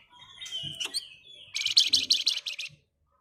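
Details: Flamboyan in rapid ngebren song, meant to provoke other birds into singing: a thin whistled opening, then a dense, buzzy, high trill of quick repeated notes lasting about a second.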